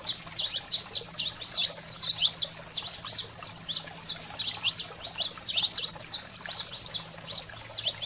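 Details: Saffron finch wild song for exciting canaries: loud, dense phrases of high sharp chirps and slurred notes, broken by short pauses, over a faint steady hum.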